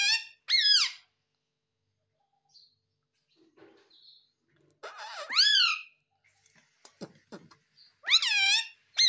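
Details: Pet green Ringneck Parrot kept indoors, known as a talking parrot; loud harsh rising-then-falling screeches in bursts, with scattered clicks and soft squeaks between them.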